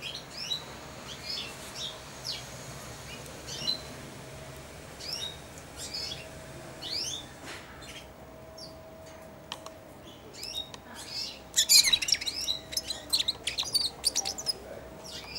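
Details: Caged four-month-old European goldfinch practising subsong near the hand that feeds it: sparse, soft, sliding chirps at first, then a dense, loud burst of rapid twittering near the end.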